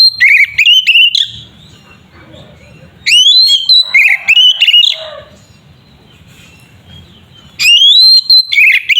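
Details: Oriental magpie-robin (kacer) pouring out a loud fighting song meant to provoke other magpie-robins: three separate bursts of clear, rising and falling whistles mixed with short sharp notes, spaced three to four seconds apart, with quiet gaps between.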